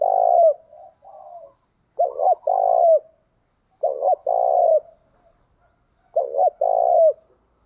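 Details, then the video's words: Caged decoy spotted dove used to lure wild doves: low hollow coos, each phrase a quick double note followed by a longer rolling coo, repeated about every two seconds, with faint higher warbling between phrases. "Chim Cu Mồi Thúc Bổi Nghe nó đã mà mở lên bổi và mồi còn gáy theo nữa"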